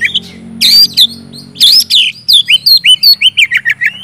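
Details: Oriental magpie-robin (kacer) in full, loud 'gacor ngeplong' song, used to prompt silent birds to sing: sharp whistled notes and slurred phrases, then a rapid series of upward-sweeping whistles repeated about three per second, with a low hum underneath.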